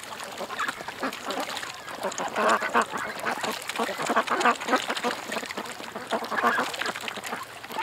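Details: Group of ducks at a creek giving rapid, irregular nasal quacks, many voices overlapping in a steady busy chatter with louder bursts midway and near the end.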